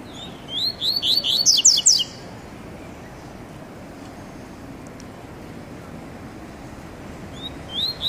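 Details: Captive male double-collared seedeater, on his first outing to a sunny town square, sings a fast run of high, sharp upslurred notes under two seconds, pauses, then briefly resumes over faint hiss.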